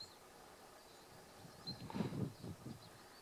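Black grouse giving a low, pulsing, bubbling display call for about a second, several rapid throbbing notes, with faint high bird notes and background hiss.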